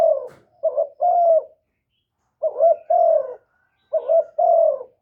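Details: Captive spotted dove used as a decoy to lure wild doves, cooing in low, mellow phrases. Each phrase is a short hooting note, a brief stutter, then a longer drawn-out coo. Three phrases are heard about one and a half seconds apart, with no background noise.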